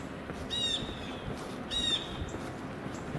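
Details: Blue jay (Cyanocitta cristata), one of two or three vocalizing, at dusk on a windy, clouding-over evening: two harsh nasal rasping jeer calls about a second apart over low wind rumble.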